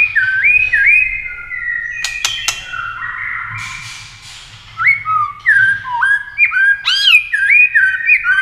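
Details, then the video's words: Clicking, tail-flicking white-rumped shama singing to spur birds into contest song: looping whistled phrases, a few sharp clicks, then rapid repeated swooping whistles growing louder. "Chòe lửa tạch đập đuôi kích thích lửa lên lửa rất nhanh kích chim hót đấu hiệu quả"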